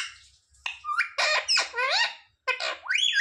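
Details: Parrot mimicking human words like "mummy papa": rough, raspy syllables mixed with squeaky rising tones, several run together, then a short pause and a final upward-sweeping nasal syllable.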